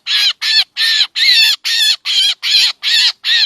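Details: A trapping lure of black drongo calls: nine loud, rasping, buzzy notes, each with a faint rising tone, about two and a half a second in a steady series, with no other sounds.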